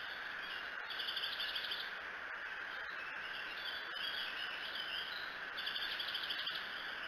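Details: Bald eagle at the Decorah nest cam, 24 June 2018 around 03:23–04:23, giving three short bursts of thin, high, staccato chittering notes, with steady background hiss and hum throughout.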